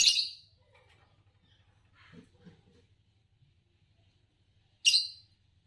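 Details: Champion green Fischer's lovebird uttering two loud buzzy chirps several seconds apart, with faint soft chatter and a low hum between them.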